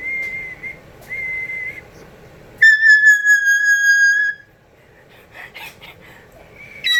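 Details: Pet cockatoo indoors performing a whistle trick taught by its owner: thin steady whistled notes, then a loud, rich, sustained whistle lasting nearly two seconds, followed by quieter chirps and room noise.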